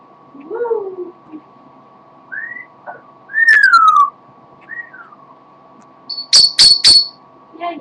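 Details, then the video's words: Pet parrot indoors, tiring and singing only a little: short tonal whistles that rise and fall, a longer falling whistle mid-way, then a quick cluster of sharp high chirps near the end, over a steady low room hum. "the parrot sings a little"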